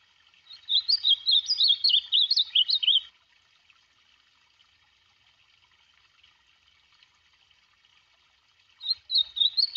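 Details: An ultramarine grosbeak sings a rapid, warbling whistled phrase of about two and a half seconds, followed by a long silence and the start of another phrase.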